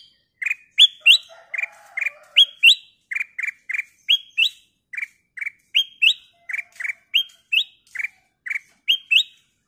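A bulbul sings bright, clear chirps, often in rising pairs. The notes come quickly, about two or three each second, with faint background twittering.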